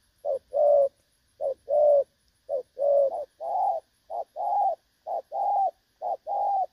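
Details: Clear-voiced spotted dove cooing in the "đồng son" style, a recording meant as a trapping decoy, dated 16 August 2024: soft, hollow coos alternating short and longer notes in a regular repeating rhythm, otherwise quiet.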